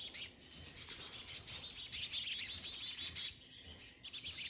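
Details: Chickadees feeding give a steady stream of thin, high chips and twittering notes, several birds overlapping at a quick pace, with a faint high hiss behind.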